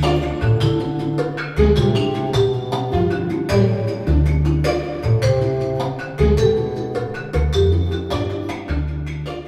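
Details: Only instrumental music with low sustained chords and struck percussive notes is heard, with no animal voice.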